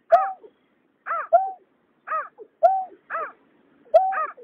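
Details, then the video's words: Water rail male and female calling, recorded 2021 for night trapping of migratory birds: short harmonic notes, some arching downward and others held steady, given in pairs about once a second against a quiet background. "Tiếng nhát hoa, cà cuốc trống mái"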